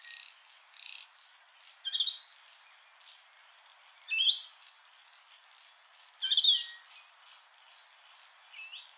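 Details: Rainbow lorikeets at Heatherdale Wetlands give three harsh, rasping screeches about two seconds apart over a steady background of softer, high chattering from other birds.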